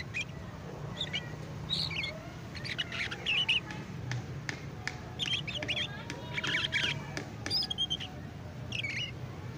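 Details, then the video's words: Young canary learning to sing in the chattering ngeriwik style: soft, scattered squeaky chirps and brief twittering notes, irregular and quiet, over a steady low hum and background noise. "Kenari Paud AF Belajar Ngeriwik"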